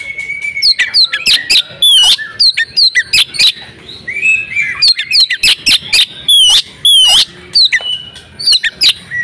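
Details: Oriental magpie-robin female in breeding condition, meant to trigger male singing: long, busy sequence of sharp whistled chirps, wavering slurs and buzzy notes in rapid bursts with brief pauses.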